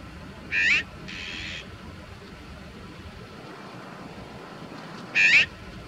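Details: Azure-winged magpie trapped in bird netting, recorded with a Nikon compact camera: two short harsh rasping calls about four and a half seconds apart, with a softer noisy rasp just after the first, and steady background hiss.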